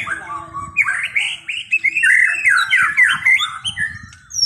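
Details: White-rumped shama giving a fast, varied run of rich whistled notes, with rising and falling slurs and scratchy chatter packed closely together.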